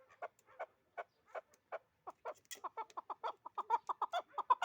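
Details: Chukar partridge starting with spaced low clucks that quicken into a dense, accelerating chatter of chuck notes.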